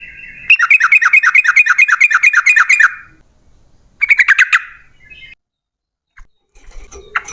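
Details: Yellow-vented bulbul giving a long rapid 'ropel panjang' song, used as a lure to make other bulbuls sing: a fast run of about a dozen bright, downslurred whistled notes over two and a half seconds, then a shorter burst after a pause.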